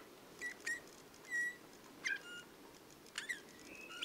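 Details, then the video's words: Eurasian bullfinch song, a bird whose voice is likened to creaking metal: soft, short whistled notes near the same pitch, some with a slight creak, spaced irregularly over four seconds against a quiet hiss. "Как ужасно поёт снегирь"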